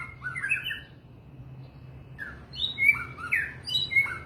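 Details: White-rumped shama giving a short warbled phrase, a pause, then a more energetic string of bright, swooping whistles. A low hum runs beneath.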